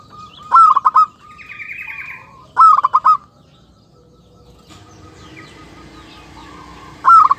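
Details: Zebra dove lure recording, meant to attract wild zebra doves: three bursts of rapid, rolling staccato coos a few seconds apart, with a thin chirping bird and a faint steady hum in the background.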